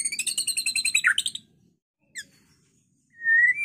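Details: White-rumped shama song, aimed at provoking other birds to fight and sing: a quick rapid trill of high notes ending in a slurred drop, a lone short chip, then a loud steady whistled note.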